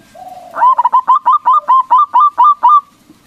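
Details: Local zebra dove with a loud voice, used as a lure to provoke rival doves into answering; a single quick run of about ten rolling, cooing notes near the same pitch, each with a short upward inflection, lasting over two seconds.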